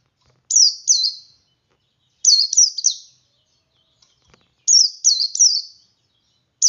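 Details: Oriental white-eye male singing ngalas to coax other white-eyes into song: bursts of two to three high, looping, downslurred notes every two seconds, clean and unaccompanied.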